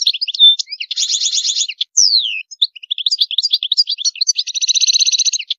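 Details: European goldfinch sings a lively high medley of twittering notes, buzzy rattling trills and a clear downward-slurred whistle, phrases flowing without pause.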